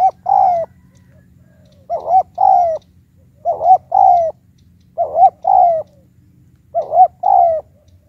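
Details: Spotted dove decoy calling in the high 'tiểu cườm' style to provoke wild birds: five steady phrases about every one and a half seconds, each a paired bent coo followed by a longer sliding coo.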